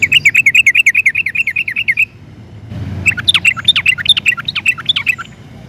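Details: Sooty-headed bulbul in full 'gacor' song, 'ropel panjang' style for luring other bulbuls to sing; a two-second run of quick, regular chirps, a brief pause, then sharp downslurred whistles.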